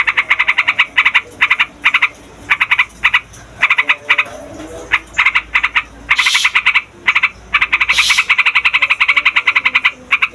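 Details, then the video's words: Trucukan (yellow-vented bulbul) singing a loud, long rolling song meant to draw wild birds and tutor young ones. Bursts of fast, even chattering notes come in runs of one to two seconds with short gaps and a couple of hissy flourishes. "TRUCUKAN RIBUT BUAT PIKAT, MASTERAN DAN PANCINGAN TRUCUKAN PAUD DAN OMBYOKAN"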